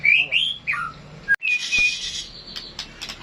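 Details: White-rumped shama singing in a classic style: a rapid run of clear whistled notes, rising and falling, followed after a short break by harsher buzzy bursts and thin high chips, fairly quiet overall.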